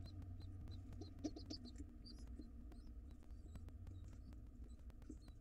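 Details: Pigeon chicks in a wild nest box beg to be fed quickly on the father's return. A quick cluster of high, squeaky calls comes early, then fades to sparse squeaks against low steady hum.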